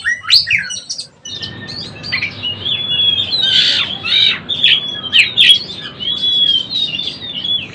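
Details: Young Oriental magpie-robin learning to sing: a string of high warbled whistles and short chattering notes, some phrases slurred downward, over steady low background hum.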